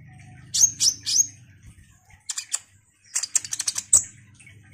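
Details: Ruby-cheeked sunbird in vigorous song used to rouse other sunbirds: three loud high whistled chirps, a pair of short buzzy notes, then a rapid rattle of sharp ticks ending in a high squeak.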